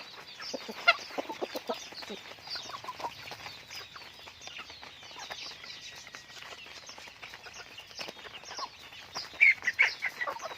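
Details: Flock of pet chickens kept and raised at home: busy high-pitched cheeping repeated rapidly and irregularly, with quieter clucks underneath and brief louder bursts of clucking at the start and near the end.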